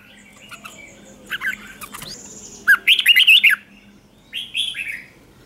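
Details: A red-whiskered bulbul giving a lure song to attract wild birds, a single brisk warbled phrase of quick whistled notes after faint calls, followed by two short slurred whistles.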